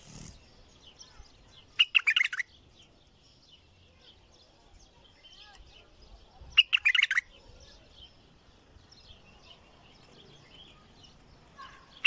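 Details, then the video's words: Bulbul singing with a heavy, deep-throated voice: two short, loud, rich bursts of chattering notes about five seconds apart, with quiet background between phrases and a brief note at the very end. "تغريد بلبل حنجره ثكيله"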